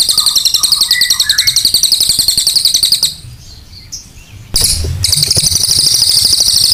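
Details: Cililin training song: a dense, piercing, high trill of rapid regular pulses that drops out for about a second and a half of near-quiet, then resumes just as strongly.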